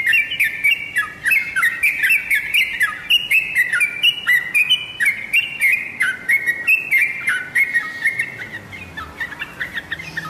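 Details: Lure song of yellow-vented bulbul meant to provoke caged birds into replying: quick, jerky chortled notes tumbling up and down in a steady fast stream, several per second, with sharp high clicks overhead.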